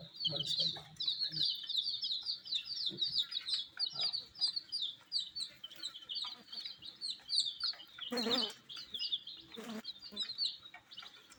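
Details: Flock of dyed baby chickens pecking at wheat grains, giving continuous piercing peeps that overlap into a busy chatter; a couple of brief louder knocks or handling noises break in near the end.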